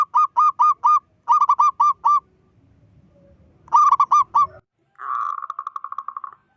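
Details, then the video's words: Loud local zebra dove calling to unsettle rival zebra doves. Bursts of four to six quick hooked coos come in three groups, separated by a low rumbling pause, and end in a fast, even rolling trill. "Perkutut lokal gacor suara besar - Panggilan perkutut Ampuh BIKIN PANIK perkutut lain"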